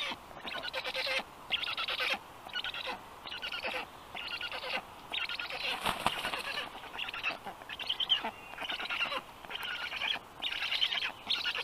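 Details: Black stork chicks being fed at their nest on an evening in June 2022: rasping, hissing bursts come in rapid pulses about every half to one second, with short silences and wing-like rustles between them.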